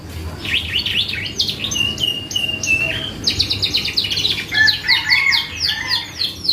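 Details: Canary singing hard, a lure meant to trigger replies from other birds: rapid zigzag notes, then chopped repeated syllables and fast trills, ending in lower warbled tones, varied and unbroken.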